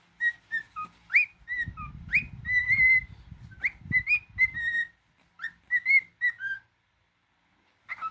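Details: Male pet cockatiel indoors: repeated upswept whistles and held clear notes in a chattering sequence, over a low rumbling background in the first half, ending with a few softer whistles and a short pause.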